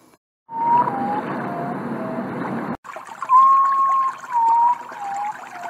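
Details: Common potoo, also called guajojo or ghost bird, giving a series of mournful whistled notes that step downward in pitch, partly masked by loud rushing noise in the first half and clearer after a break.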